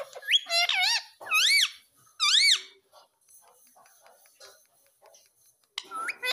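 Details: Young ringneck parrot, a pet bird, calling in a series of raspy, bent squawks, each swooping up then down, four bursts in about three seconds. A pause with faint chatter follows, then a final upward screech.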